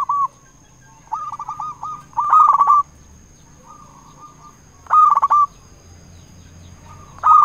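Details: Local zebra dove lure call used to stir rivals into singing. Loud, rattling coo bursts roughly every two and a half seconds, with softer clipped coo runs before and between them.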